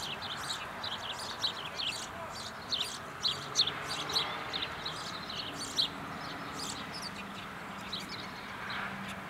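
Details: In Caledonia, Wisconsin, a European goldfinch delivers a series of thin, high twittered notes in clusters every second or so, with a steady hiss and a faint low hum underneath.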